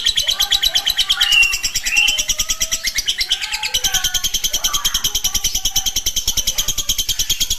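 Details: Long ngekek chatter of a lovebird played to stimulate other lovebirds: a very dense, machine-gun string of high pulses, overlaid with scattered squeaky whistles and rising chirps.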